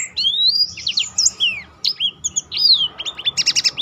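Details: Black-throated canary song meant to set other birds singing, with long rising and falling whistled slurs, then a fast run of repeated buzzy notes to close, all sharp and high pitched.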